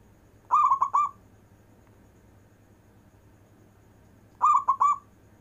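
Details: Local zebra dove (perkutut) in long-breath 'manggung' performance song: two mellow cooing phrases about four seconds apart, each a fluttering, rolling three-part coo, with a steady low hum underneath.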